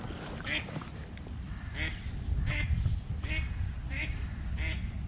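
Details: Eastern spot-billed duck, a mother leading small ducklings on an early-morning move, when two chicks were attacked by a cat; short nasal quacks repeated about every 0.7 seconds over steady low rumbling background noise.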